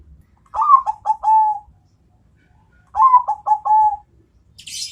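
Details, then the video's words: Bangkok-type zebra dove answering a rival with two clean phrases of low cooing, each a rising first note followed by three shorter falling notes, the final one long, about 2.5 seconds apart, then a brief high chirp. "perkutut bangkok suara istimewa jitu panggil lawan nyaut"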